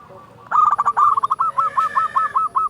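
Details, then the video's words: Zebra dove, a local perkutut used as a lure to make other doves sing, gives a loud rapid series of short rising-falling coos, about a dozen notes in one running phrase, with a faint steady high tone behind. "Perkutut lokal gacor SUARA BESAR pancingan burung perkutut agar bunyi"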